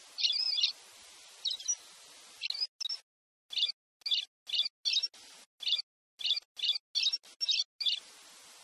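Pileated Parrot giving short, harsh, squeaky notes in quick bursts, about one every two seconds, high-pitched and slightly nasal, with brief silent gaps between them.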